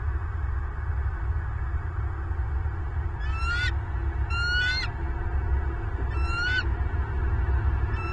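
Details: Bald eagles at their nest on a Southwest Florida nest camera, 25 November 2022, 07:07 in the morning: four bursts of high, rising, piping chitter notes with bright overtones, spaced about one second apart, over a steady low rumble.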